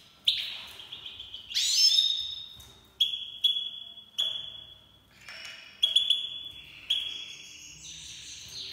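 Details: Iranian goldfinch, a Himalayan black-headed cross from Fars province, Iran: drawn-out clear high whistled notes, some opening with a buzzy burst, spaced by short pauses, in a quiet setting.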